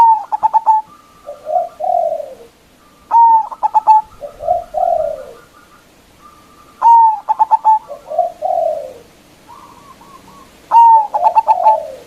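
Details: Local zebra dove, loud-voiced, used to lure and provoke rivals, sings four phrases about every four seconds. Each phrase is a bright, sustained whistle and a rapid burst of short hard notes, then lower purring coos.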